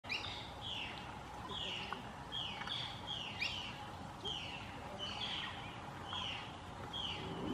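Black-crowned Tityra giving short, dry, slurred notes, about ten in a steady series roughly every three-quarters of a second, over a constant low background hum.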